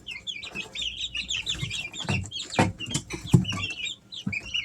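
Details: Three-week-old Easter Egger chicks at home in summer give rapid, irregular high chirps and trilled peeps, several birds calling together, mixed with soft knocks and shuffling noises.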